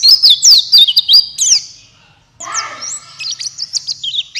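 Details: Buxtoni white-eye lure song to make quiet white-eyes sing: a burst of high looping whistles, a short pause, then scratchy lower notes and renewed thin chirping.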